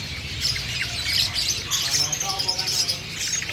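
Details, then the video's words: Trapped long-tailed shrike of the black-headed form, in full song during the season: dense, scratchy high chirping and short sharp notes packed closely together, with a faint low rumble beneath. "burung cendet kepala hitam hasil pikatan suara gacor"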